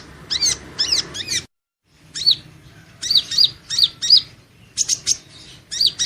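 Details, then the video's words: Van Hasselt's sunbird (Leptocoma sperata), a caged bird in song training: sharp high chirps with arched harmonics, grouped in quick bursts of two to four notes separated by short pauses, with a brief silent gap near the middle. "Suara Burung madu pengantin (Leptocoma sperata) Kolibri Ninja Konin Latihan Gacor Gantang"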